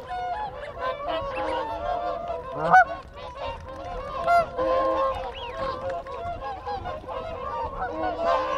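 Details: A close group of whooper swans trading contact calls: dense, layered trumpeting honks, one sharp louder note near the middle, while wigeon give rising whistles and Canada geese honk behind them.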